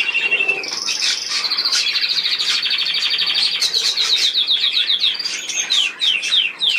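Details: Budgerigar warble: a busy run of bright chirps and rapidly repeated tick-like notes, some falling in pitch, layered over constant scratchy background chatter from more birds.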